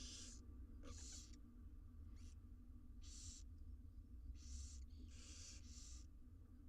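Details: Six wild barn owl nestlings begging while fed in a nest box in Israel: a run of rough, hissing screeches, roughly one per second, some doubled, over steady low-frequency noise.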